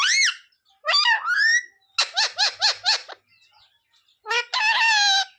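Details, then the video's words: Mimicking parrot that says "sita-ram" and "jay shree ram": a sharp opening squeak, a sliding word, then four rapid, evenly spaced syllables, and a final buzzy, sustained phrase. "Parrot talking sita-ram🚩parrot talking jay shree ram"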